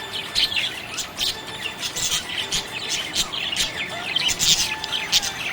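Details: Budgerigars in a happy mood, keeping up a busy stream of high scratchy chirps and warbles in rapid clusters, a thin steady whistle running beneath the chatter.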